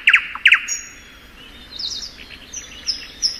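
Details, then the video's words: Two doubled harsh rattling notes from a spring thrush nightingale, then faint high whistles and a thin buzzy flourish trailing off. "Nightingale Song.(Luscinia)."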